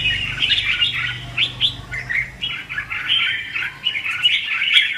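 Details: Red-whiskered bulbul 'hót ché' fighting song used to trap bulbuls: irregular bursts of slurred whistles and chatter with short pauses, steady throughout.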